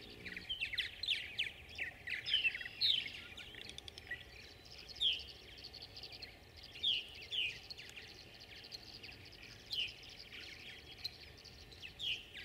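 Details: Tree swallows competing for nest boxes: short, bright downslurred chirps given singly and in small bursts every second or two, several birds calling, over a steady low background hum.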